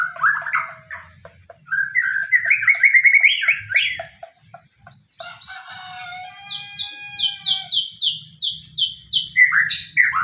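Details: White-rumped shama song meant to spur other shamas into singing: varied warbled phrases, then a long series of high, evenly repeated downward-sweeping whistles, ending with lower rich notes.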